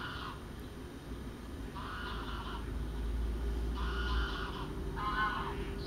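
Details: A female common scoter at lake 5 of the Kraaijenbergse Plassen on 19 November 2014 gives harsh, grating rasps in short bursts about every two seconds, over a steady low rumble of wind or water.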